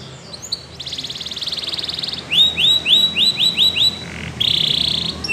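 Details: Belgian canary singing: a buzzy trilled roll held high, then a run of six or seven quick, clear, rising slurred notes, followed by a short thin trill, all bright and high-pitched.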